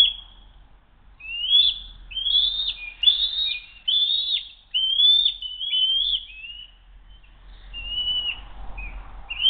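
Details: During a food-steal attempt at an eagle nest, filmed by nest camera at 12:10 on 07-02-2023, an eagle gives a rapid run of shrill, whistled, down-slurred notes, about six in quick succession, then sparser, softer calls as things settle.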